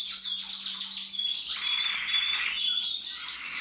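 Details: Red mosaic agate canary cock, recorded 1 November 2024, sings a dense, unbroken song of fast high chirps, rolling trills and swooping notes, with a faint low hum beneath for the first second and a half.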